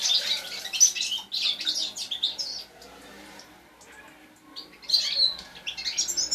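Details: Young European goldfinch fledgling singing, a song used to stimulate other birds to sing. High, rapid twittering chirps and tinkling notes that pause briefly near the middle, then resume in a lively burst.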